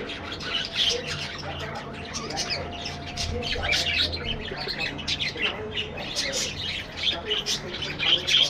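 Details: A colony of budgerigars in an aviary gives continuous high chattering, with quick chirps, squeaks and short warbles from several birds overlapping throughout, some louder notes near the end.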